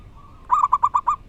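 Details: A long soft note leads into five loud, evenly spaced, clipped coo notes from a wild local zebra dove singing strongly.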